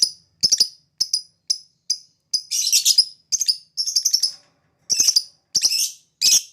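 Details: Lovebird ticking and chattering in its ngetik panjang style, used as a lure that makes other birds answer: short sharp clicked notes mixed with longer scratchy trilled bursts in uneven clusters.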